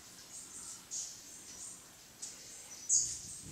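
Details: Velvet-purple coronet (Boissonneaua jardini), a hummingbird, gives thin, very high chips at irregular intervals, the last one loudest, over a faint steady hiss; recorded at Mindo, Ecuador, 22 July 2017 at 15:00. Call.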